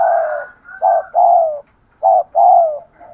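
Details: Spotted dove giving urging coos meant to train decoy birds. Loud, mellow, hollow notes come in pairs, a short coo followed by a longer falling one, repeated twice.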